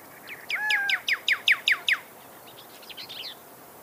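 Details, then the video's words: Pyrrhuloxia, or desert cardinal, of the American southwest and northern Mexico, singing a fast series of about eight sharp, down-slurred whistled notes with two drawn-out lower whistles near the start, followed by fainter quick chips. "Pyrrhuxolia Sound Bird Song"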